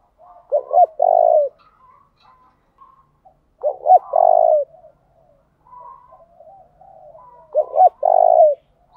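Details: Spotted dove used as a decoy to goad rivals into a singing contest and draw them close: three phrases about every three and a half seconds, each two short bent coos then a long low steady coo, faint cooing between.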